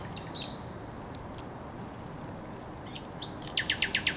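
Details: On the Żerań Canal, 24 April 2022, a thrush nightingale opens quietly with scattered high notes, then delivers a fast series of six loud repeated strokes at the end.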